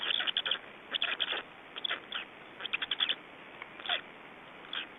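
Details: Black storks at a nest in Estonia on 24 May 2012 around 19:04, during change-over and feeding: clusters of short, harsh, hoarse bursts in quick runs of three to five, separated by brief pauses.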